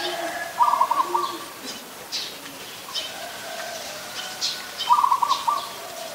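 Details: Adult zebra dove in Ubon Ratchathani, Thailand, recorded 24 December 2020: two short staccato trilled coo phrases about four seconds apart, over steady background hiss with faint other bird notes.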